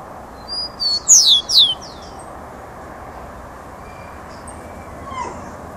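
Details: Rufous-collared sparrow in full song: a short burst of four bright whistles, each sliding steeply downward, packed into about a second, followed by quiet with soft background hiss.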